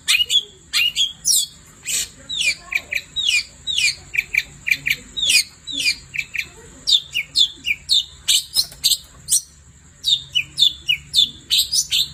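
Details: Long-tailed shrike in full night song, a long varied stream of downslurred whistles, chips and scratchy notes in uneven bursts, with a continuous high-pitched whine in the background.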